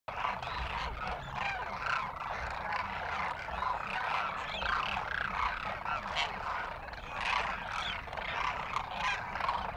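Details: Demoiselle cranes in Rajasthan, India, a flock trusting villagers and feeding from their arrangements, giving happy crooning sounds: a dense, continuous chorus of overlapping rolling, croaking calls from many birds at once, with a low rumbling background.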